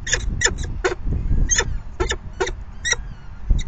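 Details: Falcon at the nest during the fifth feeding, 9 May 2020 at 4:40 PM, giving sharp, rasping chip notes about every half second, broken by short pauses, over low background rumble.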